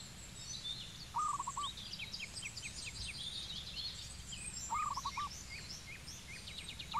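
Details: Zebra dove recorded in Cambodia, delivering three short bursts of rapid, stuttering low coos spaced a few seconds apart, against a steady chorus of high chirping birds.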